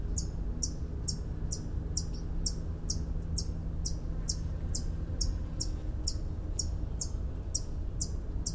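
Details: White-eared hummingbird of mountain pine-oak forests giving a long, evenly spaced run of thin, high clicking chips, a little over two per second, against a deep steady rumble.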